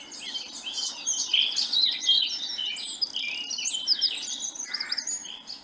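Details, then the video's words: Blackcap, an elusive woodland bird, giving its warbling, very continuous song: a fast, rambling stream of high chattering and whistled notes running without pause, played as a recording in a birdsong learning course. "warbling song, a very continuous song. It'll last for quite a long time sometimes, compared to say the blackbird and the robin. That wasn't"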